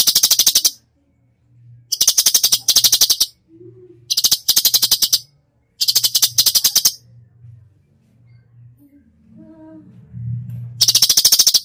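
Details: Cucak cungkok singing full 'tembakan' for masteran. Repeated short bursts of very fast, dry, machine-gun-like rattles are separated by pauses, with a faint low hum and soft background murmurs between bursts.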